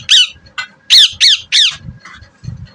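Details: A talking native green parrot (desi mithu) gives a quick run of harsh, rasping squawks, five loud bursts in under two seconds, followed by softer, low murmuring notes.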